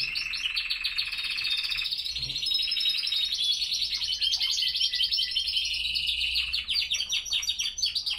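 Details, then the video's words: Classic Spanish Timbrado canaries singing despite the cold, 5°C and 87% humidity at 07:46 am; dense continuous high trills layered over one another, a rolling pulsed phrase giving way to bright sustained warbling. "Timbrados español clasico singing in the cold."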